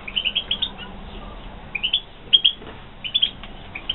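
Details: European goldfinch, Carduelis carduelis, from a 2016 captive breeding setting. Bright, high chirping notes come in short clusters of three to five, separated by brief pauses, forming a lively, twittering song.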